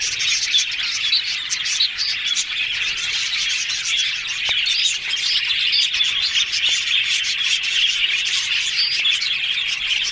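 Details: Yellow budgerigars talking in a happy mood, dense high-pitched warbling and rapid chirps from several birds overlapping continuously, with a few soft clicks.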